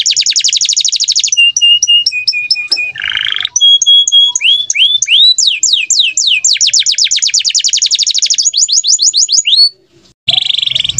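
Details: Canaries in full song, described as gacor (singing constantly) and standard cengkok style: rapid trills of sharp high notes, steady whistled tones, buzzy bursts and sweeping upslurs, with a short pause near the end.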